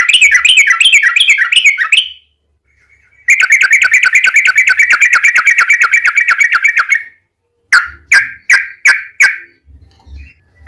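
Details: Long-rolling 'ropel panjang' song of yellow-vented bulbul used as a lure. A fast bubbly roll comes first, then a silent gap and a steady rapid trill lasting about four seconds. Five separate sharp notes follow.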